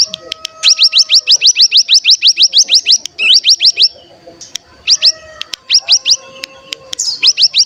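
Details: Mountain tailorbird (cigun) song meant to stimulate other cigun to sing: long runs of fast, rising, sharp whistled notes, then shorter grouped bursts with brief gaps in between.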